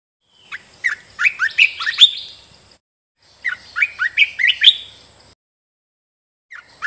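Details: Caged bulbul delivering song meant for training caged birds: two lively phrases of about six quick, rising, liquid whistles each, about two and a half seconds apart, with a thin continuous high whine.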